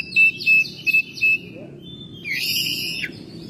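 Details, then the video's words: Home-kept Oriental magpie-robin (Copsychus saularis) singing in May: four short, clear whistled notes in quick succession, then a richer, scratchy warbled phrase, over a low background hum. "Burung Kacer gacor rumahan"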